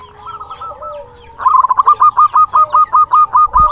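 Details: Local zebra dove singing eagerly, a song used to excite and challenge rival doves: a soft rolling coo, then a fast, even string of staccato, ringing coo notes, roughly two or three per second.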